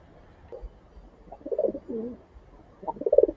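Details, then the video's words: Loud, close pigeon coos during a morning feeding: a rolling, wavering low phrase in the middle, then another burst of pulsing coos at the end, little else audible. "अलग-अलग प्रकार की ध्वनि सुनने को मिल रही है। कभी धीमी गुटुगू तो कभी सावधानी की आवाज तो कभी मातृत्व की आवाज"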